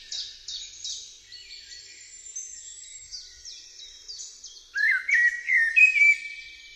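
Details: Eurasian blackbird singing: a louder, low fluted warbling phrase with short whistled notes fills the last two seconds. Before it, another bird gives a faint run of high, rapidly repeated descending notes.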